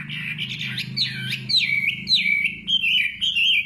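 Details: Nightingale singing a run of warbled, sliding whistled phrases that swoop up and down in a fairly high register, loud and continuous, over a faint low hum.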